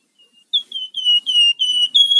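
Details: Rufous-fronted laughingthrush song, a kept bird's voice used as a lure and master bird for training: a faint short whistle, then a run of clear, loud, slightly downslurred whistled notes, each about a quarter second, with no other sounds.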